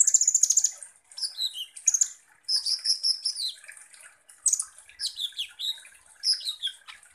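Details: Energetic sunbird (kolibri ninja) lure song: a quick rattling series of high notes, then varied chirps, thin whistles and squeaky downward slurs in lively phrases.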